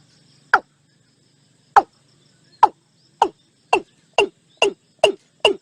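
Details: A Watercock recorded in 2023 gives a series of hollow, knocking notes that speed up from over a second apart to about two per second, over a faint background hum.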